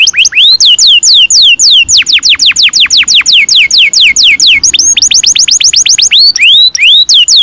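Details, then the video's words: Caged canary singing a long roll ('ngerol panjang'), used as a lure to get young canaries singing: loud, rapid series of clear whistled notes sweeping steeply downward, repeated several times per second in an unbroken chain, with brief changes of phrase. "Kenari gacor NGEROL PANJANG"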